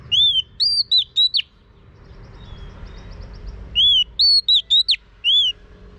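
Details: Female Oriental magpie-robin whistling to train a male: a short phrase of four or five clear, high, looping whistles, a pause of about two seconds, then the same phrase repeated.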